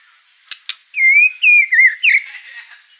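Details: Agitated white-rumped shama displaying its song material and setting off the other birds in the house. Two sharp clicks lead into a few long, pure, slightly wavering whistles, with a faint hiss in the background.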